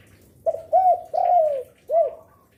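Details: Spotted dove used as a lure for other doves, singing diligently: a short stutter, a bowed coo, a long drawn-out falling coo, then a final rounded coo, all low and mellow.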